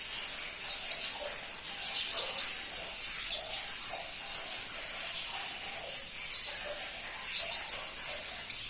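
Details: Pentis pelangi, the crimson-breasted flowerpecker, a bird seldom kept by songbird fans, singing a continuous, fast series of very high, sharp, down-slurred ticks and thin whistles, roughly three or four per second.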